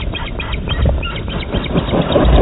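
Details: Ospreys at the nest during feeding, Dyfi Osprey Project, 23 June 2020: a rapid run of short, high chirps repeated throughout, over heavy low rumbling wind-like noise.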